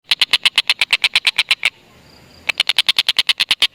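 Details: Tengkek buto calling, used as a lure to get lovebirds to call: a fast series of sharp, even, clicking notes, about three per second, stopping for nearly a second before resuming.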